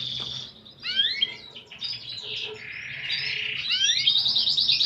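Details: Lively canary song of unique 'cengkok' phrasing: a high whistled note, a pause, sweeping rising and falling slurs, a rich warbling passage, and a closing rapid rattling trill.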